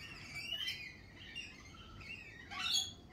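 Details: Lorikeets in spring: a couple of shrill, rasping screeches with softer squeaky notes between, ending in a loud harsh burst.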